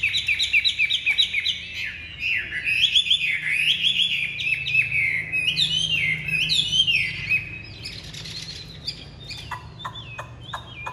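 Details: Caged Chinese hwamei with large build and pure white wing feathers, a bird kept for song in Vietnam, delivers loud, varied whistled phrases that rise and fall in rapid sweeping notes, dense and continuous, fading into short sharp chips near the end.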